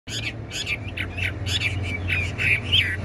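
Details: A tame caged Chinese hwamei sings a run of quick, varied whistled and chirping notes, with a steady low hum underneath.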